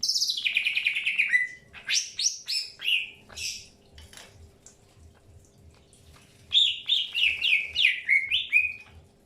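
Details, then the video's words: Greater green leafbird in an early pairing session, opening with a long, high whistle sliding downward, then scattered sharp chirps, and ending with a fast run of downslurred whistled notes. "PROSES PENJODOHAN AWAL BURUNG CUCAK HIJAU"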